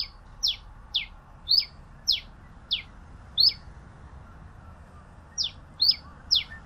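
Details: Pileated finch singing a loose series of about ten sharp, downward-slurred high chips, with a pause in the middle before the notes resume. The background is quiet.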